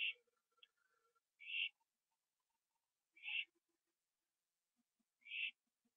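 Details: Late night on 21 September 2011, an owl on a porch finishing a gopher; three loud rasping hisses spaced under two seconds apart, with faint low chirps and scratchy sounds in between.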